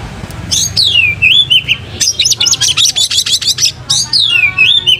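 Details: White-rumped shama, caged, tail spread open, pours out a falling whistle, then a rapid string of about a dozen repeated chattering notes, and closes with another long descending whistle.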